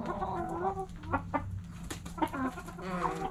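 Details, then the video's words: Several backyard chickens at sunrise clucking together: short sharp clucks in quick bursts mixed with longer quavering calls, with a constant low hum underneath. "Backyard Chickens Morning Sunrise Long Video Sounds Noises Hens Clucking Roosters Crowing!"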